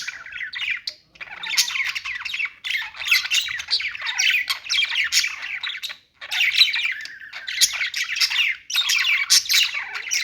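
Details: Budgerigars keep up a continuous chirping warble, bursts of buzzy squawks and fast twitters broken by a few brief silences.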